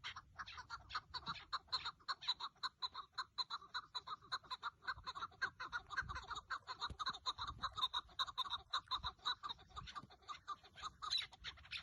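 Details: Partridge during a decoy partridge hunt, 30 March 2024, delivering a long, regular train of clucking chuck notes, rising and falling in loudness across twelve seconds.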